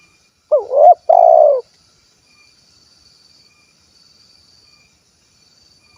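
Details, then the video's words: Spotted dove from Cilacap, Central Java, kuk 1 type: a single crisp two-part coo near the start, hooked hoot then rolling sustained note, followed by several seconds of near silence with a faint high whine, and the next phrase just beginning. "SUARA BURUNG TEKUKUR / DERKUKU KUK 1 GACOR"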